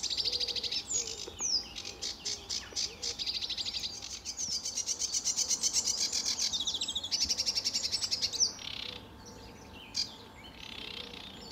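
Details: At RSPB Fowlmere on a sunny July 2013 morning, a sedge warbler delivers long mechanical rattles and reeling trills mixed with scratchy chatter, tailing off into quieter notes near the end.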